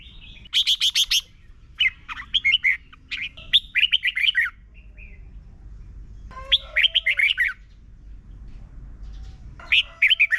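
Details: Red-whiskered bulbul from Thailand singing a tutoring song played every morning for learning birds: repeated quick phrases of three to six liquid, slurred whistles, some sharper buzzy bursts, separated by brief silences over a soft low hum.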